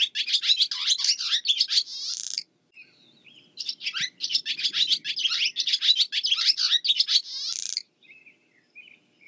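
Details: Barn swallow (Hirundo rustica) giving long runs of fast, high twittering chirps and warbled notes, broken by one short pause of soft scattered notes before the rapid chatter resumes, then fades to faint twitters.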